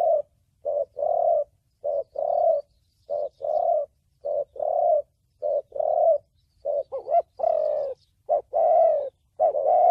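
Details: Spotted dove in the Vietnamese thổ bầu song style, used for trapping and training decoys. Low, soft coos in short-long pairs repeat evenly, and the last phrases grow louder with a wavering, slightly rising long note.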